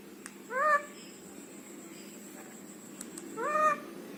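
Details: Rescued ringneck parakeet kept at home, talking: two short, upward-sweeping, harmonic-rich utterances about three seconds apart, with a quiet room and a faint steady high hum behind.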